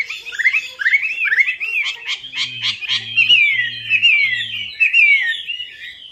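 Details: Melodious laughingthrush, or Chinese hwamei, singing as a lure recording: rapid, loud, warbling whistled phrases with quick up-and-down slurs, run together continuously, over a low droning hum in the middle.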